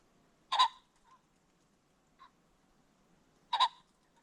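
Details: At sunset on a creek bottom, a Ring-necked pheasant gives two loud, grating bursts about three seconds apart, each followed by a brief, soft, low note, with near silence around them.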